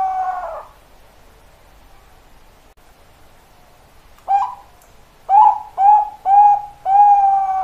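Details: Bangkok-type zebra dove (perkutut) song: the tail of a sustained coo, a quiet gap, then a run of short, bright, rising-falling coo notes that closes with a long level coo.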